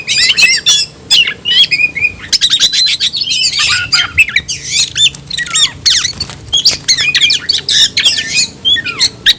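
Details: Kacer, the oriental magpie-robin, tayoraky variety, in a cage, pouring out a dense run of harsh chattering notes and sweeping whistles with short pauses between bursts.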